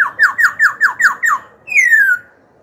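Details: Black-throated laughingthrush, a young caged songster, singing to stir rivals and tutor young birds: seven rapid, ringing down-slurred notes in a row, followed by a drawn-out descending whistle.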